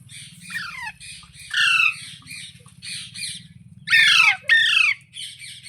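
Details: Parrot squawking repeatedly in scratchy downward slurs, building to two loud harsh screeches, with a steady low hum behind.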